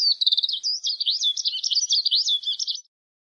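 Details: Eurasian skylark (Alauda arvensis), song.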